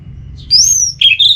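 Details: Orange-headed thrush from northern Bali delivering one long high drawn-out whistle followed by quick slurred lower notes, a brief fragment of its song.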